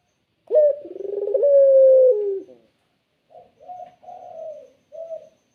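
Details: Island collared dove, clear and melodious, delivering one long rolling coo that settles into a smooth sustained note. After a pause come three short, softer coos.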